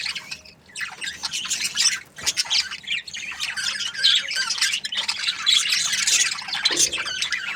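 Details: Australian budgies chirping: after a quieter opening, the flock's high, grating chatter and thin whistles build into a thick, continuous wash of twittering.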